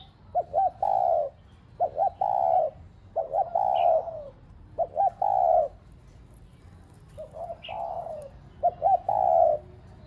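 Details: Spotted dove cooing, a recording played to make caged doves coo: two short clipped notes followed by a longer, mellow, slightly falling coo, the phrase repeated about every one to one and a half seconds with brief pauses.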